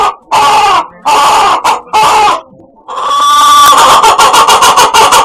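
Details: A chicken giving an unusually strange call: loud, harsh, nasal squawks in three bursts, then a long raspy cry breaking into rapid pulsed clucks toward the end.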